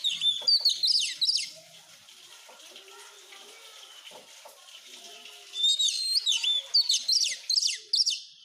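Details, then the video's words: Oriental magpie-robin singing as a masteran for caged birds: loud, rapid whistled and buzzy notes at the start and end, with a continuous rushing, water-like hiss and quieter chatter between. "Masteran burung kacer supaya cepet gacorr"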